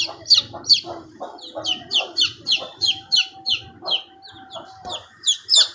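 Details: Baby chickens cheeping: rapid high, piercing peeps repeated several times a second, mixed with lower soft clucking notes and a brief steady tone in the middle.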